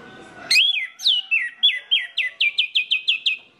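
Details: Orange-headed thrush song used to set other orange-headed thrushes singing. A string of about thirteen loud, clear whistled notes, each sliding downward, comes in an even run that speeds up slightly toward the end.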